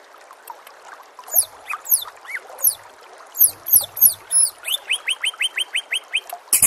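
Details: White-rumped shama master song for training other songbirds: soft jumbled phrases, then sharp high descending whistles, followed by a rapid run of about eight rising clipped notes and a burst of harsh noise at the end.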